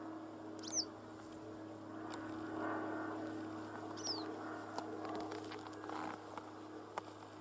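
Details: A wagtail in a rapeseed (canola) farm field gives two sharp, high, down-slurred call notes a few seconds apart over a steady low hum, rustling and scattered clicks.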